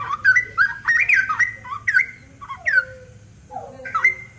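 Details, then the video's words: Straw-headed bulbul (cucak rowo) in full, vigorous song: loud, rich, liquid warbled phrases of bubbling whistles with quick downward slurs, delivered in tumbling bursts separated by short pauses, over a faint low background hum. "masteran cucak rowo gacor durasi 1 jam"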